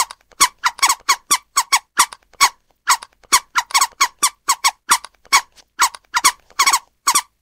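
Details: Rapid series of scratchy, squeaking notes from a scarlet ibis, some single and some doubled, coming about two or three per second over several seconds in an otherwise quiet setting.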